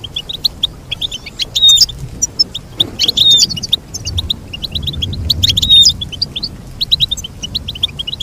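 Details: Goldfinch song in excited bursts: clusters of bright chirps and buzzy, slurred notes alternating with quieter spells of single tweets.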